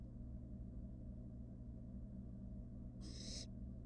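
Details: One short, breathy screech near the end, from a wild barn owl in a nest box with siblings, following a few seconds of steady low hum.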